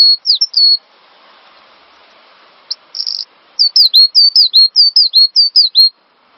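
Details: Cinereous tit singing on a master track for training other songbirds: a few high whistles, a short buzzy burst, then a long steady run of about eight paired whistled notes, each dipping then levelling.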